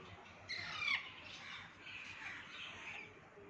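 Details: Rose-ringed parakeet letting out a loud, grating squawk with a brief falling note. A quieter, drawn-out raspy call trails on through the rest of the recording.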